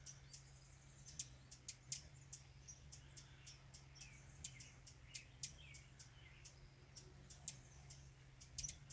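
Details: Rufous hummingbird busy at its feeder on San Juan Island gives thin, very high chips and squeaky ticks, scattered irregularly several times a second, over a steady low hum.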